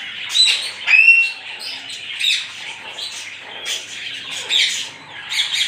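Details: African grey parrot, a pet talking bird, giving loud harsh squawks in bursts roughly every second, mixed with a few short clear whistled notes, in a quiet indoor setting.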